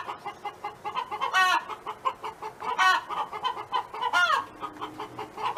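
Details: A neighbour's hen clucks steadily in short, low notes, about one every half second. Three loud, rasping squawks cut in at intervals.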